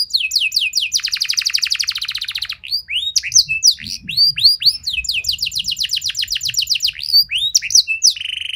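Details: Canary song meant to prompt other canaries to answer and sing long phrases: a fast rattling trill of rapid repeated notes, then upswept whistled notes, a second trill, and a closing steady buzzy note.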